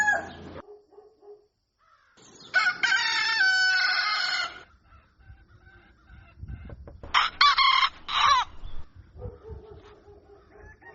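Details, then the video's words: At daybreak a rooster crows twice, each crow a loud harmonic cock-a-doodle-doo lasting about two seconds, between softer clucking notes and low background rumble. "Galo Cantando Ao Amanhecer | Som De Galo Cantando"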